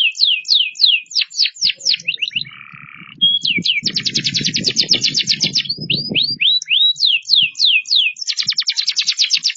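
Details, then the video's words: Singing canary showing off its repertoire: rapid falling whistled notes, a short buzzy rattle, then fast rolling trills and more sweeps, with faint low rustling underneath. "كناري بناشي صوته رررهيب"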